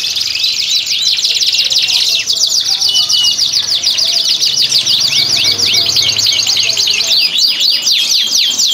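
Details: Domestic canaries in a breeding room in Klaten, Indonesia, singing in breeding condition to stir females. A dense, unbroken stream of high, fast trills and sweeping notes, several birds overlapping throughout.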